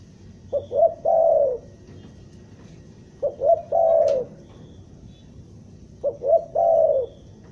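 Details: Spotted dove from Bandung, used as a trapping lure and described as stuttering and vigorous, cooing three times at intervals of about 2.7 seconds: two short clipped notes, then a longer, falling purr, over a low background rumble.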